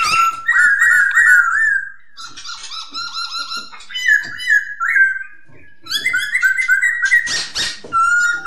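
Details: Masked laughingthrush song, locally poksay hongkong: strong repeated whistled phrases, slurred and warbling, in bursts separated by short pauses, with scratchy high notes mixed in.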